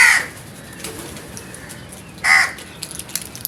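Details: Scared crows giving two short harsh caws about two seconds apart, with quiet background rustling between them.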